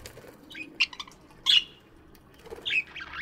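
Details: Scattered short budgie chirps in a morning aviary, a few sharp rising notes spaced about a second apart over low background rustle and a brief flutter.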